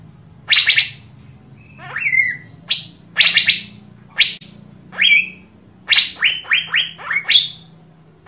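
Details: Asian fairy-bluebird singing in a lure recording for other songbirds: loud clipped doubled and tripled upslurs mixed with a wavering liquid whistle, ending in a rapid run of rising notes, with soft low background hum.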